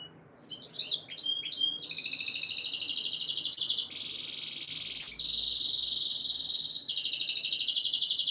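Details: Canary song used as breeding conditioning to stimulate females' mating instincts: a few short chirpy notes, then long, very rapid high trills that shift in pitch between sections, loud and continuous.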